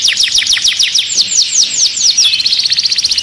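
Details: Canary in a cage, agitated, sings a quick series of bright downward-sweeping whistled notes, about six per second, ending in a faster rattling roll.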